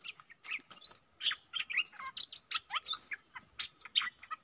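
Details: Bulbul song aimed at wild birds by a decoy bird: jumbled bright chirps and slurred whistles in quick succession, varying in pitch, with faint background calls.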